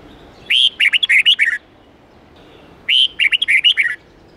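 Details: Red-whiskered bulbul, forest-standard twisting song of 8-9-10 notes used to teach young birds: two near-identical phrases about two and a half seconds apart, each a loud whistle then a rapid chain of bubbling, up-and-down notes.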